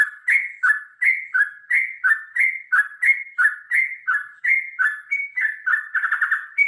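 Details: Long, energetic fighting song of a sooty-headed bulbul, used to get birds singing: rich gurgling phrases repeated almost three times a second, each a quick drop then upward flick, ending in a faster burst of chattering notes.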